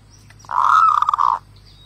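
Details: Zebra dove giving a single sustained, rolling coo of under a second, steady in pitch and ending with faint stuttered pulses; quiet background.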